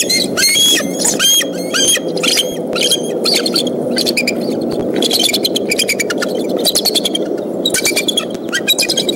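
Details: Bald eagles defending their Decorah nest from a fox squirrel intruder in April, rapid series of short, high squeaky piping notes and chattering clicks in quick succession, with a constant low rumble of wind beneath.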